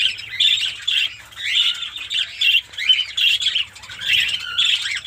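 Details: Several Fischer's lovebirds in a captive colony setup in Pakistan chatter in squeaky, rising and falling notes, bursts coming every second or so with short quieter gaps.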